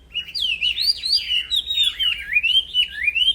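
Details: Black-throated laughingthrush (wambi) singing without pause as a training tutor for songbirds: a fluid stream of looping whistled notes that swoop up and down, running together in quick wavering phrases.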